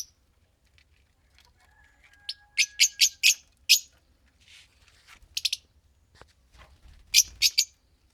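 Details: A green pair of Fischer's lovebirds giving scattered groups of three or four shrill chirps among softer faint notes and a thin, level whistle.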